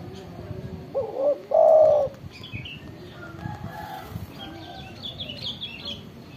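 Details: Spotted dove with a loud voice giving a single low hooting coo phrase, a short note then a longer drawn-out one, followed by thin chirps from other birds and faint background noise.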